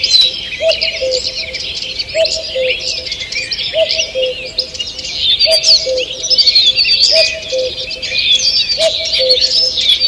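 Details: Morning in a forest, 2 June 2023: an unbroken chorus of high chirping and trilling birds runs throughout, with a low two-note hoot repeated steadily about every one and a half seconds, six times.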